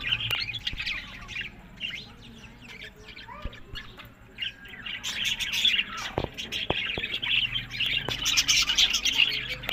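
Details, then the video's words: Captive budgerigars in Larkana, Sindh, start with scattered chirps and clicks, then break into a louder, dense chattering chorus of many birds about halfway through. "Buddies Parrot Voice"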